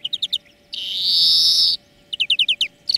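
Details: European greenfinch song lesson for training birds: fast chirping trills, then a long, harsh, drawn-out buzzing wheeze of about one second, then more rapid chirped trills and the start of another wheeze, with a steady faint hum behind.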